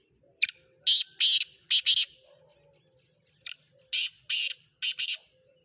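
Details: Black francolin of the Sindhi kala teetar 'speeder' type calling: two loud, harsh, grating phrases of about five clipped notes each, the second after a pause of over a second, against quiet surroundings.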